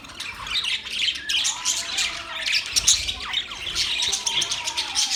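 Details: A group of budgerigars keeps up a lively, bright warbling of many overlapping high chirps, quick squeaks and rasping notes that swell and fade in rapid bursts.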